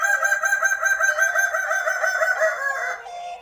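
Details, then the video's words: Kukuak balenggek cock of Padang, West Sumatra, holds a drawn-out crow with a rapid pulsing tremor throughout, pitch gently climbing before dropping into a shorter tail and fading out. "ayam kukuak balenggek //kumpulan kukuak istimewa padang sumatra barat"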